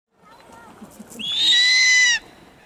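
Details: Snowy owl (Bubo scandiacus), call.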